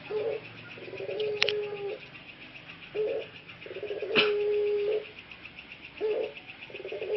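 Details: Caged pelung ringneck dove males in Central Java, Indonesia, regaining voices grown hoarse in the breeding cage: short coos repeated roughly every three seconds, each a stuttered start then a held note, with sharp clicks and constant insect-like pulsing.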